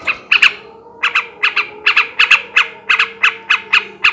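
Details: A male yellow-vented bulbul in 'ngebrem ngekek' song for arousing breeding condition delivers loud, grating squawks, often doubled, repeated about three times a second after an opening half-second pause.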